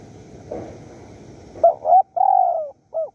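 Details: Wild spotted dove in Surat Thani, Thailand, answering during decoy luring: short coos, a drawn falling coo and a brief closing note, after a moment of low ambient noise.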